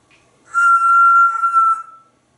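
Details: Captive parrot talking with its owner holds one steady, flute-like whistle for over a second, then lets it trail off, in a quiet indoor room.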